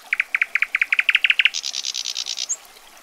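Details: Common nightingale singing: a fast train of paired clicking notes, about a dozen in a second and a half, then a higher buzzy rattle and a final thin upward flick.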